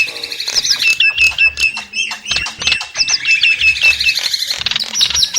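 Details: Nias hill myna producing a jumbled stream of shrill whistles, wheezy rasps and babbling, voice-like notes with no steady rhythm; a low hum runs beneath.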